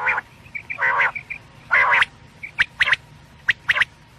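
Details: Quail call recording intended for night: two longer buzzy, rasping notes followed by quick sharp clicks, with soft high pips scattered between.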